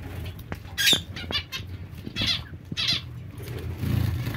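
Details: Zebra finch calling: a few short, nasal, buzzy bursts spaced irregularly, with faint flutters and low background rumble between them.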